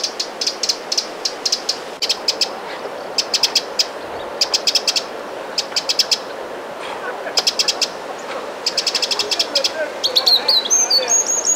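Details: Eurasian wren giving alarm calls on the shore of Lake Vänern, Sweden, in late July 2017: high, dry ticking notes in quick bursts of three to six, repeated about every second, ending with a few thin higher notes over steady low background noise.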